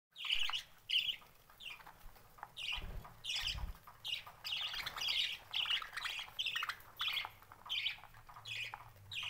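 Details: Budgerigars kept for sale in Mysore chatter in quick, scratchy bursts of chirps and squawks, over and over.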